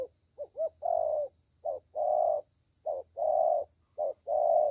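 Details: Spotted dove, a young bird valued for its 'thổ' voice, in Vietnam. Low mellow coos open with two quick short notes, then alternate clipped and long sustained notes evenly.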